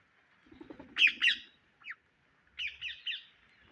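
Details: Indian ringneck parrots searching for grain give harsh, raspy screeches: a loud pair near the start, then a run of three quick grating calls after a pause, over a steady background hum and a soft low chatter.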